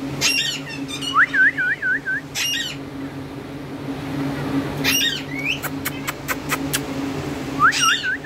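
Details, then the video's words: Green parrots, several females and one talking male, give harsh broadband squawk bursts about every two to three seconds, with wavering rising-and-falling whistles after some bursts and a quick run of sharp clicks in the middle. "female Parrots and one talking Parrot male green Parrot"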